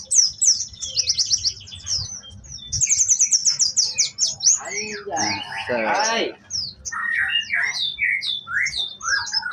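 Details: Orange-headed thrush singing energetically with mimicked fill-in phrases: dense, high, rapid chirping and whistled trills, a short lower harsh burst near the middle, then scattered sweeping whistles.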